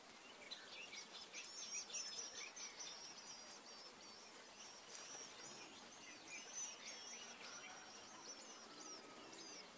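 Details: Red-backed shrike calls while feeding nestlings: a steady series of thin, high, scratchy chirps and short squeaky notes repeated quickly through the clip, over rustling background noise.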